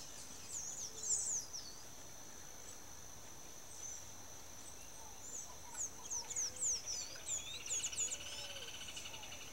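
Sayaca tanager giving thin, squeaky, high-pitched chirps, a brief burst and then a longer twittering run, over a steady insect drone.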